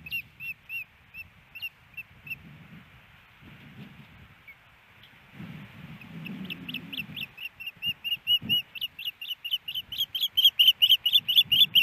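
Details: Female osprey at a nest in Hellgate Canyon, Missoula, Montana, April 28, 2019, calling for fish from her mate: soft, spaced chirps that build into a loud, rapid series of shrill whistled notes, with low rumbling.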